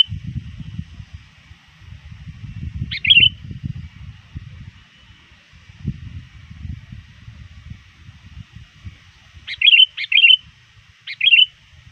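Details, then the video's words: Sooty-headed bulbul calling rivals before dusk, trained and very active: one bubbly whistled phrase, a long pause of about six seconds, then three quick phrases close together, with low rumbling noise in between. "suara burung kutilang gacor memanggil lawan"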